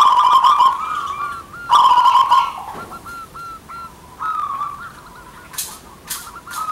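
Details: Local zebra doves, male and female answering one another: two loud trilled coo phrases, then a string of short, evenly spaced rising notes, ending with sharp clicks.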